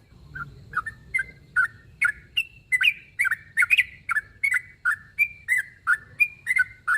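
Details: Sooty-headed bulbul aiming its calls at a rival: after a soft opening, crisp chirped notes follow steadily, some slurred upward, repeated rapidly to the end.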